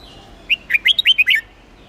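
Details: Hue-type red-whiskered bulbul in contest-song training to rouse freshly caught birds: one brisk phrase of about seven clear, chirping whistles rising and dipping over under a second, with quiet background.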